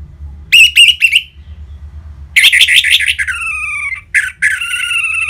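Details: Orange-headed thrush in ngeplong style, a lure to rouse caged birds to sing: three short notes, a pause, then a dense, varied warbling stretch ending in drawn-out whistles.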